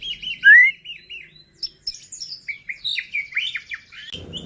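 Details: White-rumped shama singing to provoke other shamas into song and agitation: a run of repeated rising whistled notes, one loud upslurred whistle, then quick varied chirps and trills, ending in a brief burst of noise.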